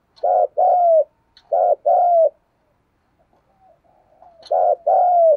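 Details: Spotted dove kept as a decoy, cooing 'thúc gù': two quick paired phrases, each a short hollow note then a longer downward-sliding coo, a gap with faint soft notes, then a third pair.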